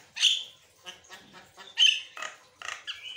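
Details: A Javan myna chatters nonstop without pause in harsh, squawky bursts, about six quick phrases in three seconds, mixing grating notes with a few clearer whistles.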